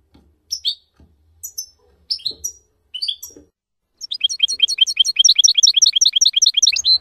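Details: European goldfinch song in the F.O.C.S.E code, recorded to teach young goldfinches: four spaced, sharp, high twittering notes, then a fast, unbroken run of bright chirps repeated several times a second.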